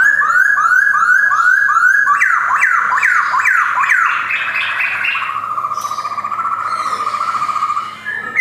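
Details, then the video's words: Male white-cheeked Black-throated laughingthrush from a Jogjakarta collection, 2021, repeating bright rising whistled notes in quick succession, then breaking into sharper descending slurs and a long wavering whistle. "BEAUTIFUL POKSAY BIRD GARRULAX CHINENSIS SINGING"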